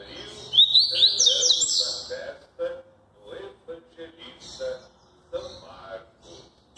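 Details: Maresia-style song of a Double-collared seedeater. It opens with a rapid run of rising, sliding whistles, then thins into softer, irregular chirps with gaps between them. A low hum and murmur run in the background.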